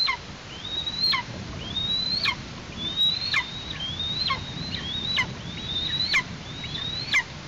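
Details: Eastern imperial eagle chick in its nest in Tatarstan, 16 August 2023, while parents bring prey: high thin whistles rising then snapping sharply downward, repeated roughly once a second in a steady insistent series.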